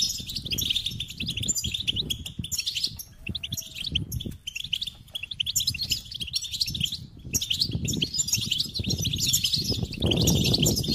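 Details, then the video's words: Goldfinch singing a long run of fast, bright twittering and chirping notes, varied and nearly continuous, over steady low rumbling and rustling background noise that swells toward the end. "Experience the Goldfinch Singing"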